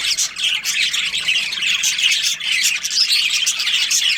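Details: Budgerigar colony of breeding pairs, a thick wall of high chirping and scratchy warbles from many birds, steady throughout with short sharp squawks on top.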